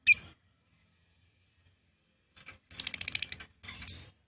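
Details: Lovebird ngekek chatter: a shrill high note, then after a pause a rapid run of about ten sharp, high pulses, followed by another shrill squeak over a faint low hum.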